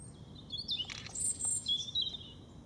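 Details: European robin singing in the Veerse bos woodland, dated 080314: a thin, high, varied warble of sliding whistled notes and short trills over about two seconds, with faint low background rumble.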